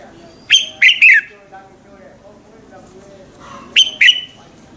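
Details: Red-whiskered bulbul singing a morning song used as a lure to stir other bulbuls into singing; two short bursts of three loud, clear whistled notes, each falling in pitch, about three seconds apart over a faint low hum.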